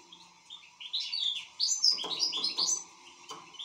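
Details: Actively singing European goldfinch: a quick, tinkling chatter of high twittered notes and short trills that builds and runs for about two seconds, then a quieter phrase, over a faint indoor hum.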